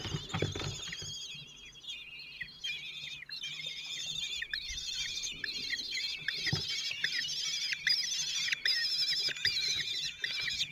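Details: Common kestrels at a nest in Théding, France, 26 June 2023, as the father feeds four 16-day-old chicks: continuous high, rapid chattering trills with wavering pitch, almost unbroken, with faint rustling and knocks below.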